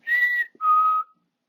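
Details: African grey parrot, a male pet, whistling at home in August 2022: two clean sustained whistled notes, the first higher, the second lower, split by a brief gap and a tiny click.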